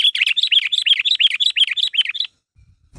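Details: Sooty-headed bulbul calling others to respond: a steady rapid string of about fourteen bubbly whistled chirps, roughly six per second, then near silence with faint low bumps.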